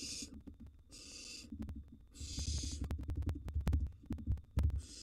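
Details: Wild barn owl chicks at a nest box feeding: four short hoarse hisses spread over five seconds, mixed with loud low thumping and scraping of birds moving on the box floor.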